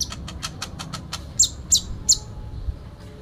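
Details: Sooty-headed bulbul in full fighting song with fill-in phrases: rapid series of thin high ticks, then three louder piercing chirps, with a faint low hum behind.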